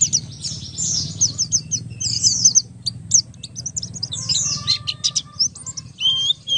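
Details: High jumbled twittering and trilled phrases from a Buxtoni Oriental white-eye, a lure for making other white-eyes sing, over a faint low hum in the background.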